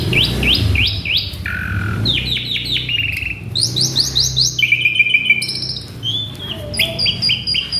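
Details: Agitated male Asian pied starling in full song, mimicking alarms, a street vendor's call, polyphonic tones and prinia notes: rapid series of rising whistled slurs, then buzzy trills and bright chirps in shifting phrases, with a low hum beneath.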